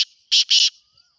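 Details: Breeding-season call of a black francolin (kala teetar): a pair of harsh, buzzy, rasping notes, close together and roughly equal in length, against a quiet background with a faint high insect tone.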